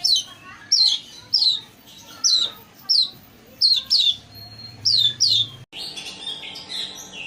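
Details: Long-tailed shrike lure recording meant to make a quiet or stressed bird answer and sing: sharp, high downslurred whistles, often paired, every half second or so over a faint low hum, ending abruptly in a burst of buzzy chatter.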